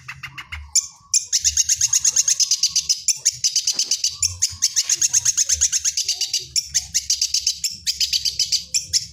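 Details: Long-tailed shrike singing with lovebird song imitations: a few harsh chattering notes, then a long, fast, buzzy rattle of rapid high notes pouring on for several seconds with brief breaks.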